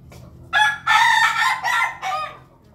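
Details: Red-combed rooster, 20 May 2024, giving a full loud crow in four strained, harmonic-rich syllables, the long middle notes held and the last one dropping, over a low background hum.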